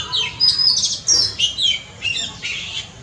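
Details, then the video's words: Short burst of Oriental magpie-robin song from a front yard: clear high whistles mixed with harsher chirping notes, delivered in quick varied phrases roughly twice a second. "Amazing sound of Oriental magpie-robin (धोबिनी चरा)"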